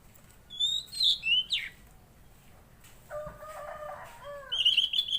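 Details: Tledekan laut, mangrove blue flycatcher, in full song: quick high whistled phrases with downward slurs, a pause, then lower, steadier harmonic notes and a final run of high repeated whistles.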